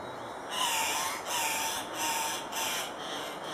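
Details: Andean cock-of-the-rock at a lek at Paz de las Aves, Ecuador, giving four harsh, rasping squawks, one about every 0.7 seconds, with a faint nasal tone beneath, over steady background hiss.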